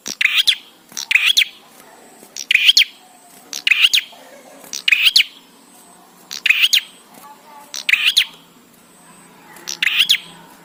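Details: Bar-winged prinia song, played so that prinias sing sooner: about nine loud, harsh chirp phrases in a steady series, one roughly every 1.2 seconds, with little else heard.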